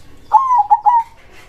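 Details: Zebra dove (perkutut), a local bird in full voice, singing in the loud krosing style: one short phrase of three mellow, fluttering coos at a steady pitch, the first drawn out, over a quiet background.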